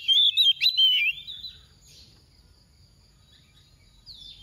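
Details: Oriental magpie-robin decoy bird with a soft voice, singing 'tìu tíu tiu' to provoke other magpie-robins to sing: a loud burst of twisting, warbled whistles lasts about a second, then fades to faint thin notes and near quiet.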